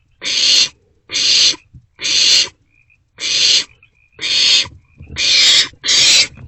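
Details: Young barn owls in a nest box at night, sharing prey; loud, rapid hissing screeches nearly once a second, seven rasping bursts, the last ones almost running together, with faint thin chittering between.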